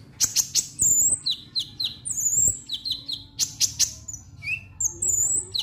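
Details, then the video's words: Konin lovebird 'ngek ngek' chatter played to make birds sing: a dense stream of shrill, sharp chirps and downslurred squeaks, repeated in quick succession over a faint low hum. "Konin Ngek Ngek Ampuh Pancing Bunyi"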